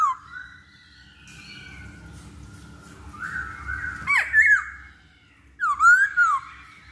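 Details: Masked laughingthrush, lure song to get birds singing quickly: soft background noise, then a loud twisting whistle with a sharp drop and a later rising, wavering whistled phrase.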